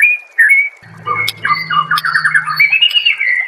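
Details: White-rumped shama singing on a master recording for training songbirds: a long whistled note, then rapid chattering trills of repeated notes, with a faint low hum underneath.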